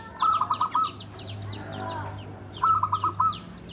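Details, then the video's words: Javanese local zebra dove, seven years in care and singing well, used to coax lazy doves to sing: two rapid rattled bursts of about five bubbling notes each, separated by a pause, with many small birds twittering behind. "Perkutut lokal Jawa gacor untuk pancingan perkutut yang malas bunyi"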